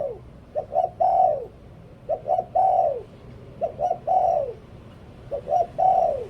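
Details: Decoy spotted dove cooing in phrases of two quick short notes and then a long, arching, downward-sliding coo, the phrases coming about every one and a half seconds.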